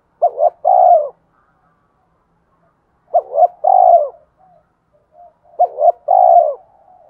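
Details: Cooing spotted dove, a full song used to provoke wild doves: three evenly spaced phrases, each a quick stuttered double coo followed by a longer warm falling coo, with silence between.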